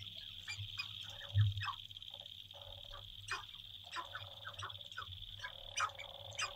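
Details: Courting male sharp-tailed grouse displaying on a lek, central North Dakota, April 2021, just before sunrise, from a blind: loud quick clucks and harsh barking notes, some drawn-out cooing calls, with a constant high-pitched whine and low background hum.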